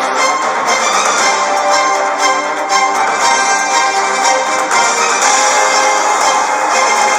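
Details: Orchestral music with bowed violins plays steadily throughout, dense and continuous, with no animal voice heard.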